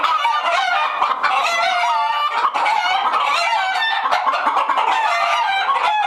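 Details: Many agitated hens in a henhouse cackling together, harsh rising and falling squawks layered over rapid clucks, a constant noisy flock chorus without pause.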